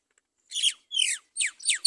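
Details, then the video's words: Great myna, an adult with a chick in a nest on a palm tree; four harsh, descending chirps in quick succession, each sweeping downward, with short pauses between them and no other sounds. "bird Great myna & baby in the nest on a palm tree"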